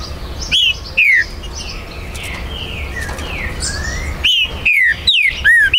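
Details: Territorial green-winged saltator, or trinca-ferro, kept by an amateur breeder and recorded 19 September 2020. Two loud, sharp, falling whistles, a lull with faint background twitters, then a burst of four or five more slurred whistles.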